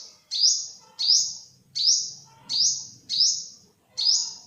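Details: High, sharp sunbird notes from an olive-backed (yellow-bellied) sunbird, six in about four and a half seconds, evenly spaced, with a faint low hum underneath.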